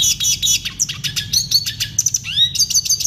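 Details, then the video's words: A red siskin sings a clear tutor song meant for caged birds: dense, rapid, high-pitched twittering with quick slurred notes and rising sweeps packed closely together, steady throughout, with a soft low hum beneath. "Masteran burung redsiskin suara jernih"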